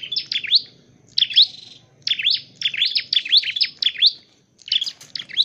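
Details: Dark-necked tailorbird, kept and trained for trapping, delivers rapid clusters of piercing high chirps in bursts of three to five, separated by brief gaps.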